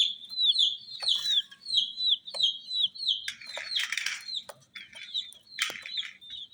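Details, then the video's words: Colour-dyed baby chickens chirping: rapid runs of thin, high, descending peeps from several chicks, interrupted by a few brief scratchy rustling bursts. "Chicks Chirping"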